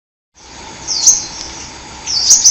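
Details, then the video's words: Hummingbird chirping, said to be recorded in the forest: after a brief silence, two bursts of very high, thin, slurred tweets, each lasting under half a second, over a steady faint background hiss. "KICAUAN BURUNG KOLIBRI ASLI DARI HUTAN"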